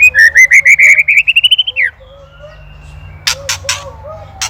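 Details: White-rumped shama from Indonesia in ketrekan style, a master for training songbirds: a fast accelerating chain of rising chirps ending in a downward slur, then quiet, then sharp clicking bursts.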